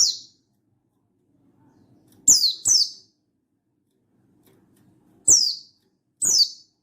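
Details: Mountain white-eye (buxtoni), recorded 16/8/22, calling out a rival to trigger song in other white-eyes. A lone high falling chirp, a pause, a quick pair of sharp descending notes, then two widely spaced single chirps.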